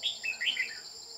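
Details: Red-whiskered bulbul during trapping with a decoy bird, hunting a bell-voiced male: a quick run of bright, warbled whistled notes, rising and falling, over a steady high-pitched insect drone.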